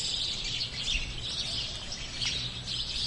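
Sparrows chatter in a busy, continuous stream of high, short chirps that overlap without pause, over a low background rumble.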